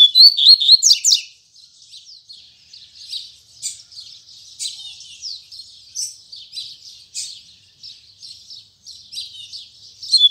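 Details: Morning Tui Tui Zel Zel song from a double-collared seedeater. It opens with a loud whistled flourish, then gives a long stretch of quieter, quick scratchy twitters.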